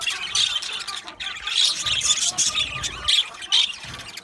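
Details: Budgerigars chattering as a colony in an aviary: overlapping raspy squawks and warbling chirps in bursts, with short gaps between louder outbursts.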